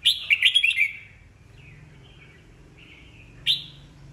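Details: Old red-whiskered bulbul matured in the wild, singing to goad newly caught birds into song contests: a loud rippling burst of bright warbled notes, soft thin whistles, then one more sharp falling note.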